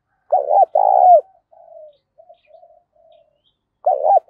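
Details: Spotted dove singing in the 'giọng thổ pha' style, loud and clear: one full low phrase of a stuttered double note and long burry coo, then faint scattered soft notes, and the next phrase beginning at the end.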